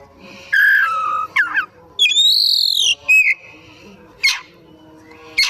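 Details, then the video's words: Afternoon song of an Oriental magpie-robin in full voice. A descending warbled phrase and a long clear whistle are followed by a short falling note and two sharp rasping bursts, set against faint background hum. "Burung Kacer Gacor"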